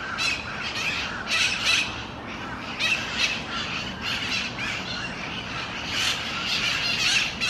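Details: Harsh raspy screeches of mitred parakeets feeding on seeds in a Miami-Dade County, Florida park on December 4, 2016, given in rapid uneven bursts roughly every half second, several birds overlapping, with steady low outdoor rumble.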